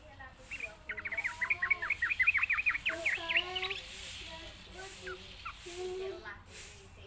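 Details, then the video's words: Sooty-headed bulbul in a training recording meant to teach young birds their voice: a fast bubbly run of chattering, rising and falling notes, then scattered softer phrases with a low mechanical hum underneath. "suara pancingan trucukan belajar bunyi"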